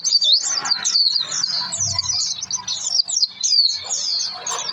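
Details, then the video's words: Energetic Oriental white-eye song used to coax other birds into singing: a dense, unbroken warble of high thin chirps and quick zigzag whistles, with faint low background noise. "pleci gacor pancingan suara pleci"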